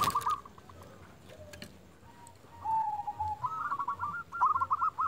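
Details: Lure zebra dove of local stock sends out a quick bubbling coo, a pause with faint notes, then a louder rolling coo series over persistent background noise and a sharp click at the start.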